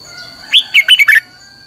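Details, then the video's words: Red-whiskered bulbul singing a lure song for voice training, 'căng lửa' style: a rapid phrase of five to six clear whistled notes, rising then dipping, lasting about two-thirds of a second above a low background hum. "luyện giọng cho chào mào hót hay - căng lửa"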